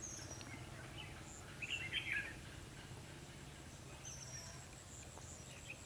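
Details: A red-whiskered bulbul is lured by a caged decoy bird for trapping, 21 December 2015. One burst of fighting song appears midway: a quick, bubbling cluster of chirpy whistles, with steady insect whine throughout.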